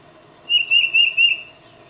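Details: Tufted titmouse calling its mate, filmed with a Nikon D800 and 600mm lens: a quick run of four clear, high whistled notes, evenly spaced over about one second, with a quiet background.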